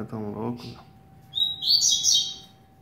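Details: A person speaks briefly, then a captive 8-month-old double-collared seedeater, kept at home, gives a quick burst of high, bright, twittering notes that slide and warble for just over a second.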